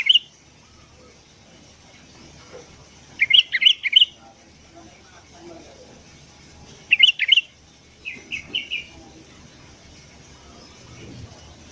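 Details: ['Sooty-headed bulbul singing in the morning, used as a lure for wild birds: short bursts of quick whistled notes, then a run of four softer repeated chirps, quiet gaps between.']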